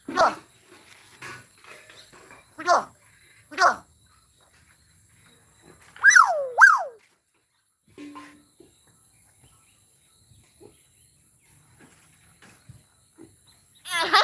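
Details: Common myna mimicking human speech in the Bodo language: loud bursts of downward-sweeping, voice-like notes at irregular intervals, two prominent swooping phrases in the middle, quiet gaps and faint clicks between them.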